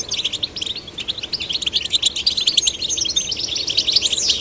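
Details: Young goldfinches, male and female, encouraged to sing, pour out a fast, jumbled twitter of bright chirps and liquid trills with brief rising whistles near the end.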